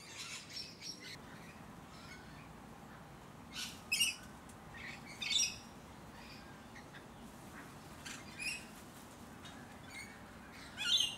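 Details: Musk lorikeets in leafy suburban Hunters Hill, Sydney, Australia, recorded in late November or early December, with rainbow lorikeets also present: harsh, high screechy squawks in short bursts every second or two, some louder, over quiet background hiss.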